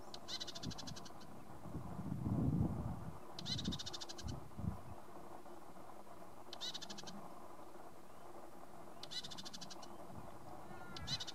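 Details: A male Red-capped Robin at Limbri gives high, dry, rapidly pulsed rattling trills, about a second long, every two to three seconds, over a low rumble of wind.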